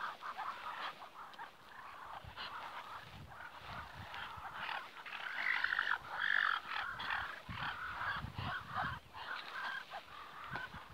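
Ducks keep up a busy, overlapping chatter of soft, purring and chirping notes, several calls a second, with no other clear sounds.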